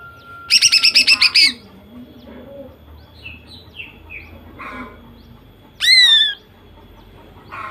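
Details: Singing female greater green leafbird in a ‘nembak’ burst style, played to goad males into song. A fast rattling series of about eight harsh notes, scattered soft chirps, then one loud steeply falling whistled call.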